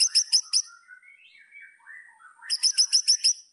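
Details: White-rumped shama song aimed at provoking rivals: short bursts of high rapid notes framing a soft, lower wandering warble in the middle.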